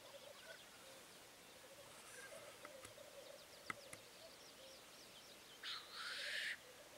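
Black grouse give a low, continuous bubbling coo, then a loud hissing sneeze near the end; faint high chirps from other birds are in the background.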